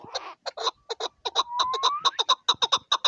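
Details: Chukar partridge, a hunting decoy bird, gives a fast series of harsh, clucking chuk notes that quicken toward the end. A faint rising whistle runs beneath them.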